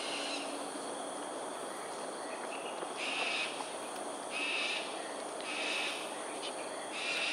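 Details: Cockatoos in aerial display over Sungei Ulu Pandan, Singapore, 13 January 2022 at 7.43am, give four harsh, broadband screeches about a second apart, spaced irregularly, over a steady hiss of background noise.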